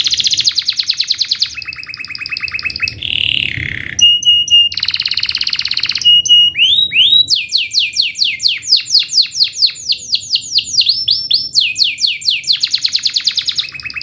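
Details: Canary song meant for training young birds, a varied sequence of fast buzzy trills, a lower warbled phrase, steady high piping notes, and a long run of sharp descending sweeps before a rolling trill.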